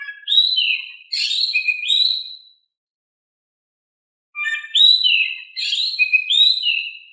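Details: Oriental magpie-robin giving eager, calm-toned song as a lure for reluctant singers. Bursts of fluid whistles, slides and warbles fill the first two seconds and then the last three, with a quiet pause between.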